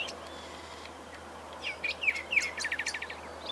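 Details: Greyish saltator, Saltator coerulescens, recorded at Esperanza, Santa Fe, Argentina, in 2023; usually in pairs, singing from high in plants, often as a duet. Short slurred whistled notes followed by a quick rattling series of rising notes, with faint background noise.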